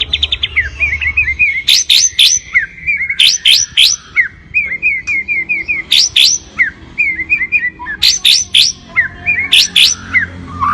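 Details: White-rumped shama in full varied song, a territorial bird: rapid chains of short downslurred whistled notes around mid pitch, broken by sharp high clicking bursts roughly every two seconds, about three notes per second overall.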